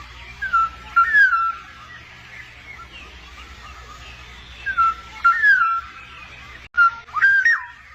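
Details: Wild black-naped oriole pair feeding its chicks: clear fluted whistles, slurred down then up, given in three short bouts of two or three notes each, spaced a few seconds apart, over a low steady hum.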